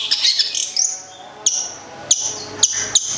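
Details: Long-tailed shrike, a local cendet from Gedong Songo in Central Java kept as a songbird, opens with a scratchy twittering burst and a rising whistle, then gives four sharp, isolated high clicks spaced about half a second apart.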